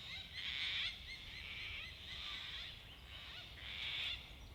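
Gang-gang cockatoo giving harsh, grating screeches like a creaking door, about four rasping bursts in quick succession, with faint low background rumble.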